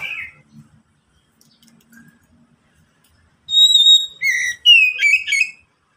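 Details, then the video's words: White-rumped shama song used as a lure to prompt other shamas to sing: after a faint opening note and quiet pause, a pure steady whistle is followed by a burst of quick warbled, slurred phrases. "Pancingan Kacer agar cepat bunyi super ampuh"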